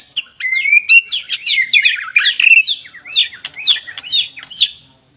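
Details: White-rumped shama (murai batu) singing vigorously: a fast, varied run of clear whistled notes and sharp chirps, rising and falling, with quick upslurred phrases repeating over five seconds in a quiet setting.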